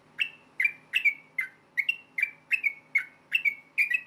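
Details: Yellow-vented bulbul delivering a fighting-type song used to trigger replies from other bulbuls; crisp, slightly falling whistled chirps, about ten in four seconds, some doubled, over a soft low background hum.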